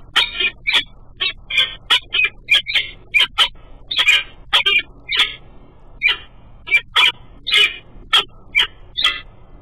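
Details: Female peregrine falcon at her nest in the morning, chatting with her mate after he flies by, picked up by a nest camera: harsh, clipped calls repeated about twice a second in uneven runs.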